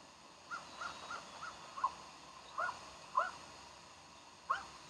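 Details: Bald eagle at Decorah on a January 2012 morning gives a chattering series of high, clipped notes, first soft and quick, then louder piping calls at widening gaps of about half a second.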